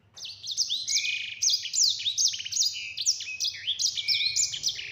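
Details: Yellow-fronted canary in a long, clear, nonstop rolling song of bright, high slurred whistles and quick trills, about two or three notes a second, over a faint low hum.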